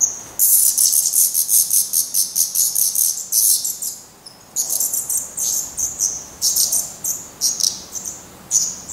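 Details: Downy black redstart fledglings being fed at the nest in Portugal call in dense high-pitched hissing pulses, fade briefly near the middle, then resume in irregular squeaky bursts.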